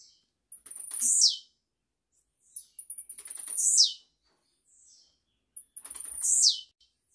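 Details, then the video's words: Live recording of a caged blue-black grassquit used to teach chicks, three bright buzzy phrases each starting with stuttered ticks and ending in a loud descending rasp, about every two and a half seconds. "TIZIU GRAVADO AO VIVO PRA ENCARTE DE FILHOTES, CANTORIA LINDA"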